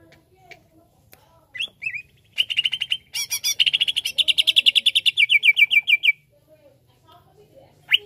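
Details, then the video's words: Greater green leafbird song aimed at agitating a leafbird: a couple of thin whistles lead into a long, fast, buzzy trill of repeated notes lasting several seconds, then a lone sharp upslur. "Bikin Emosi Cucak ijo Anda"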